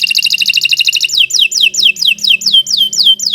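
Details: Canary singing a long, fast tutor song used to train other birds: a rapid high chatter of repeated notes for one second, then clear downward-slurred whistles repeated about four times a second.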